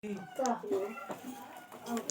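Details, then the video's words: A green talking parakeet speaks short, speech-like syllables with a nasal, slightly squeaky tone, giving a few quick phrases in a small room. "Talking Parrot || Green Parrots"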